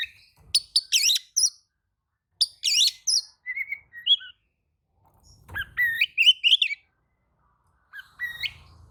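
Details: Oriental magpie-robin answering another magpie-robin's song with bursts of scratchy chatter and clear whistled notes, separated by silent pauses, then a rising whistled phrase.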